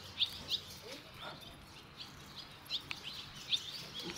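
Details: Barn swallow nestlings taking their first flight, five leaving the nest in two and a half minutes. Crisp, high chirps sound singly or in pairs, spaced irregularly, over faint background noise.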